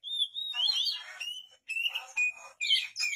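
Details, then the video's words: Oriental magpie-robin in full, active song, offered as a vocal tutor: clear whistled phrases near one pitch, then rapid varied warbles and slurred whistles broken by short pauses. "KACER GACOR"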